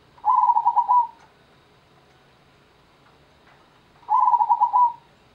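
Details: Zebra dove, known locally as perkutut, sings two matching phrases about four seconds apart. Each is a quick series of throbbing coo notes at a steady mid pitch, separated by near silence.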